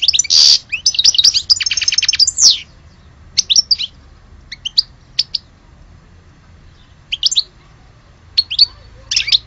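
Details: European goldfinch from Algeria singing: a burst of fast liquid twitters and a buzzy rattle, then short bright chirped notes spaced a second or two apart.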